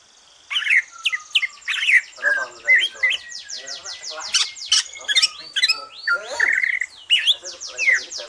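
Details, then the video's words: Dense, continuous song of a greater green leafbird after moulting, sung to stimulate other birds: rapid harsh chatter, downslurred squeaks and whistled notes packed closely together. "Kicau santai cucak ijo,,rangsangan cucak ijo selesai nyulam"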